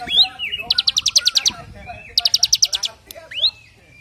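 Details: A bar-winged prinia sings its 'brem AK47' rattle, meant as a tutor recording for other birds. Two quick volleys of piercing high notes, framed by rising slurred whistles and softer twittering.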